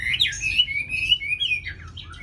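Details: Tame Chinese hwamei kept caged in Hà Nội, noted for its fine voice, giving a short burst of clear, slurred whistles that rise and fall over two seconds.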